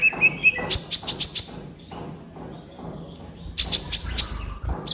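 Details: Kolibri ninja sunbird singing in a master recording meant to lure quiet caged birds into song: a few short mid-pitched notes, a quick volley of high chips, a pause with faint murmurs, then another chirping burst.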